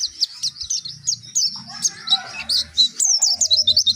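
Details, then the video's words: Dakun white-eye, Pacitan, in nembak song with mantenan and zipper witwit phrases: quick high slurred notes, about three or four per second, over low murmuring background noise and faint softer calls. "Pleci Dakun pacitan nembak mantenan&zipper witwit"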